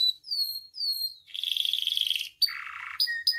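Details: Canary kept in a cage, singing as a tutor and lure for other captive canaries: three gliding falling whistles, a rapid buzzy trill, a lower harsher rattle, then short high chips.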